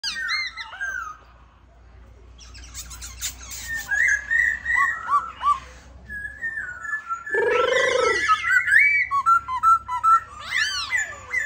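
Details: White-cheeked laughingthrush kept as a cage bird, singing while dancing: varied loud whistled phrases, rising and falling slurs near the middle, rapid chattering bursts and a dense harsh rattle mid-way, ending in looping whistles.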